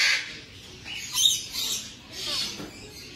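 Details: A super tame, newly arrived captive black-capped lory in a bird store gives four harsh, hissy, high-pitched screeches over about three seconds, with quiet gaps between them.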